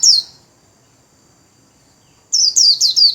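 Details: Caged white-eye singing the quick warbling 'líu' style while spreading its wings: one high note, a pause, then a fast run of sharp, high, downward-slurred chirps.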